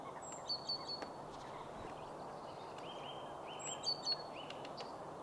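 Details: Great spotted woodpecker in Sweden giving warning calls: short, sharp, high kik notes in two quick bursts of three, over a steady background rush, with faint rising notes from another bird.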